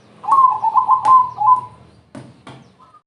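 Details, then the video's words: Crossbred zebra dove in lively song to lure other doves: one phrase of about six quick bubbling coos sliding slightly lower at the end, followed by two sharp knocks and a faint high note. "perkutut crossing gacor TERCEPAT, memancing BUNYI,semua jenis perkutut terpancing"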